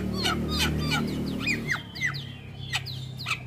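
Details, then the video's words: Starling song used as a training and prompting track for captive birds: sharp rising and falling whistled sweeps and brief chirps, repeated several times a second, over steady low background music. "Pancingan Segala Jenis Burung Jalak Wajib Langsung Buka Suara"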